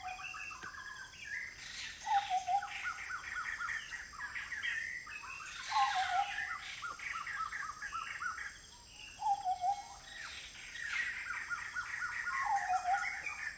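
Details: Blyth's paradise flycatcher, a migrant, in community forest near Kulen National Park, Cambodia: bursts of harsh, grating notes about every four seconds, with short low whistles from another bird and a faint pulsing insect trill.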